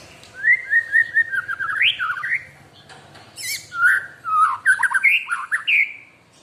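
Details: Kept white-rumped shama in energetic song: a repeated slurred whistle rising into a twisting trill, then a high buzzy burst followed by more melodious whistled phrases and quick warbled notes, little other sound.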